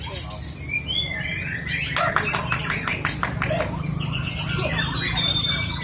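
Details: White-rumped shama, called murai hutan, in settled full-length singing with long 'tembakan' bursts: whistled notes around the start and end, a rapid series of sharp clicking strokes in the middle, over a steady low hum.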